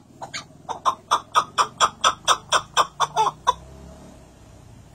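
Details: White chukar partridge calling: a fast run of about thirteen harsh, clucking chuk notes, roughly four per second, cut off abruptly and followed by quiet indoor background.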